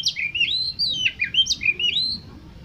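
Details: Oriental magpie-robin singing to provoke competition birds: a short, energetic phrase of rolling whistled notes with quick upward and downward slides over steady low background rumble.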